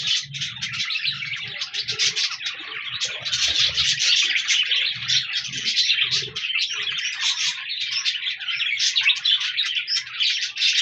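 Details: Budgerigars, colourful parakeets kept as pets, recorded 14 January 2024, keep up a busy flock chatter of rapid chirps, warbles and squeaky notes, with soft low thumps and a steady hum in places.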